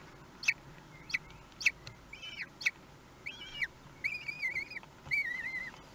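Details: At a common kestrel nest in Théding, France, 2 June 2020, feeding on a big prey; sharp chips at first, then wavering, trilled whining calls that rise and fall, growing louder toward the end.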